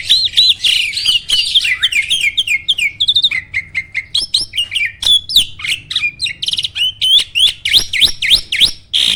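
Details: Caged starling kept for singing contests gives a continuous, loud stream of rolling whistles, fast descending slurs and clipped chirps, noted for its roll, shot and speed delivery.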